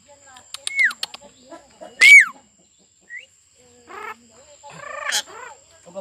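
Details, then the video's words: Talking Javan myna kept as a pet: sharp clicks, two bright falling whistles, a short rising note, then buzzy harmonic voice-like syllables, separated by brief silences, with a faint constant high tone behind. "BURUNG JALAK BISA NGOMONG"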